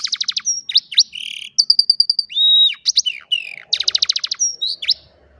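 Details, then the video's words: An old canary sings in the afternoon, a loud clear song of quick repeated chips, a sustained flat whistled note, a smooth falling-rising whistle and rolling trills in fast succession. "Old Canary sings beautifully in the afternoon"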